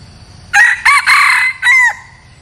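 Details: Decoy red junglefowl crowing once, a bird kept to attract wild junglefowl; abrupt four-part crow with two brief opening notes, a sustained rasping middle section and a clipped descending ending, little else audible.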